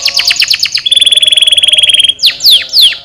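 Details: Singing canary for stimulating lazy canaries: a fast trill of rising notes, then a steady rapid rattle on one pitch for over a second, followed by three long downward-sweeping whistles.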